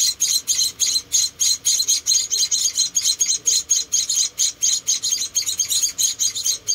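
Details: Four tiny rescued munia chicks being hand-fed, giving rapid high-pitched chirps in dense pulses, about four or five a second, hissy and thin, keeping up steadily throughout.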